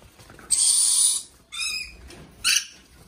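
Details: Two young male yellow-streaked lories: three harsh, grating screeches. First a long rasping one, then a shorter buzzy squawk, then a brief sharp shriek, over quiet background.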